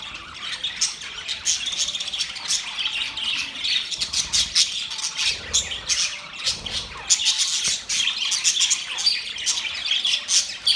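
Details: Budgerigars chattering together in mating sounds: a continuous flock of buzzy, high-pitched warbles, clicks and squawks overlapping without break. Brief louder bursts come around the midpoint and again near the end.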